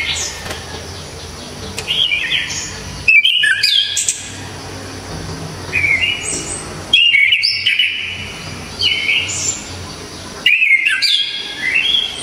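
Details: Long run of loud Orange-headed thrush song, with dense bursts of sharp, rapid whistled notes recurring every few seconds and softer varied phrases filling the gaps over steady faint hiss.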